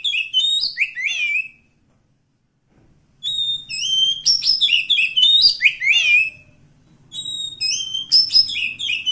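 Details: Wild forest magpie-robin delivering repeated song phrases, each a string of bright whistles tumbling downward, with brief silences between bursts.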